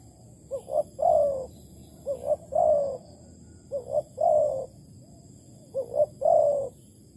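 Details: Spotted dove calling in Malaysia on 11 August 2020 during decoy bird trapping; four evenly spaced phrases, each a pair of quick coos leading into a longer, slightly falling, vibrating coo, with faint background hiss.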